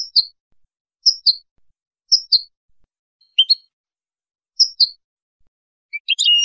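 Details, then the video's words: European goldfinch male, Casablanca, Morocco: short two-note tinkling chirps repeated roughly once a second, with a burst of louder twittering at the end. "canto del jilguero limpio"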